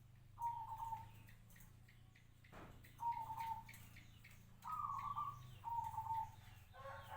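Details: Captive local zebra dove of five years sings separate short trilled coos, each about half a second long, spaced one to two seconds apart, one pitched slightly higher.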